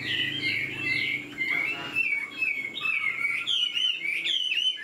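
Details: Fresh-plumaged caged hwamei singing with a fanned, flicking tail: long sliding whistles, a brief pause, then rising and falling phrases with a lower whistled line beneath.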